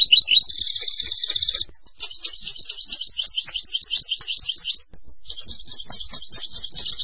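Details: European goldfinch in full song: a buzzy, sustained trill opens, followed by rapid, high, tinkling note series repeated at a brisk, steady pace, with one brief pause before resuming.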